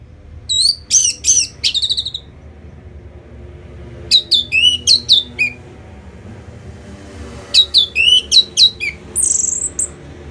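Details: Orange-headed thrush song used after moulting to stir the bird into aggression: three separate bursts of rapid, high, sharply modulated whistled notes, each phrase about a second long, with a steady low hum underneath.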